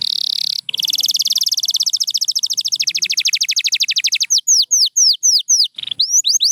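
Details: White canary chirping: a steady buzzy tone, then a long fast trill of rapid ticking notes, changing to a series of clear downslurred whistles, with a short pause before more swooping notes.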